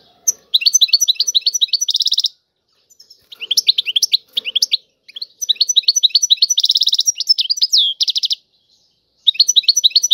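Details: European goldfinch singing in the tiwawati style: rapid liquid twittering phrases of short slurred notes, with buzzy trill bursts, delivered in bouts broken by brief pauses.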